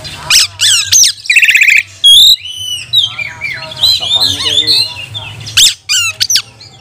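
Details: Oriental magpie-robin singing as a provoking lure during lockdown: sharp click bursts and a buzzy trill, then arched whistles and a dense jumble of warbled notes, over a constant low hum.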